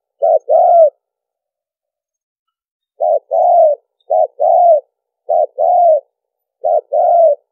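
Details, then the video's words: Spotted dove giving lure coos used for trapping: four paired notes, a short low coo then a longer, slightly arched one, with a two-second pause after the first pair and none after. Clean recording, no other sounds. "cu gáy mồi kèm gù dùng đi bẫy"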